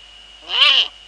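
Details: Eurasian eagle-owls in the Netherlands on the evening of 2 February 2013 at 19:15, female on the nest, male nearby; one brief, loud, hoarse screech rising then falling, with a steady hum behind it.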